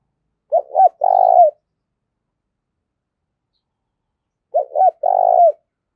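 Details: Spotted dove cooing to provoke fighting, a call used as a decoy; two phrases about four seconds apart, each two short rising notes and then a longer, lower rolling coo, against a silent background.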